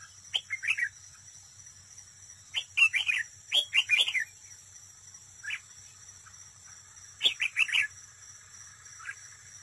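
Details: Red-whiskered bulbul decoy bird at a trap, singing competitively up close: short bursts of three to five bright whistled notes, the phrases separated by pauses of a second or more, over a steady high electrical-like whine.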